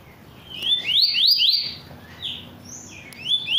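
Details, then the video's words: Caged rusty-collared seedeater kept by a keeper, singing strongly: clear whistled notes sweeping upward in a quick series of rising slurs, then a pause and a few separate rising whistles. "coleira Tui Tui cantando muito"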